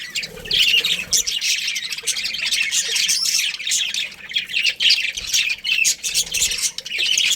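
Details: A breeding pair of budgies chattering: steady high-pitched warbling mixed with raspy squawks, one long unbroken run of chirps with small dips in loudness.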